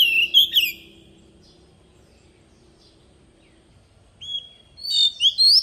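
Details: Oriental magpie-robin decoy singing its wild-style song to train young birds: a short twittering burst, a long quiet gap, then a level whistle leading into bright rising and falling notes.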